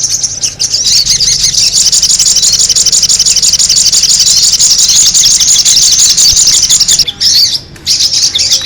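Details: Sogon bird lure recording of noisy calling: unbroken shrill, chattering twitter of quick squeaky notes that stays loud throughout, briefly dropping out near the end before resuming, over a soft low background hum.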